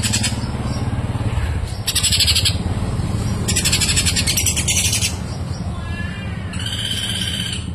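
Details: Javan grey-throated white-eye, known locally as kapas tembak, singing long clear song used as tutor recording for other cage birds: bursts of high buzzy, rapid twittering notes with gaps, over a steady low rumbling hum.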